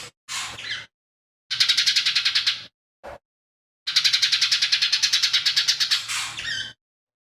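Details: Energetic lesser green leafbird with a mimicry-rich song: a short scratchy note, then longer rattles of fast grating pulses, the last running nearly three seconds and trailing into a downslurred buzz, over a faint steady hum.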